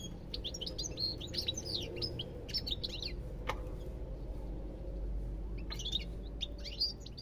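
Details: Chattering European goldfinch song of fast, sweeping high chirps for several seconds, a short lull, then a final burst of twittering, over a low steady hum.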